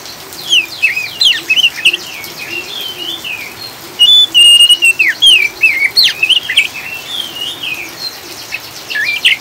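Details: Oriental magpie-robin, a caged bird, in a rapid chattering song of varied whistled and buzzy notes, sweeping up and down, dense and continuous, over a steady hiss of rain; used as a lure to calm and stabilise birds.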